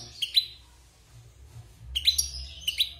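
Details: Caged wild European goldfinch after moulting, producing two short bursts of high bright chirping notes separated by a quiet gap.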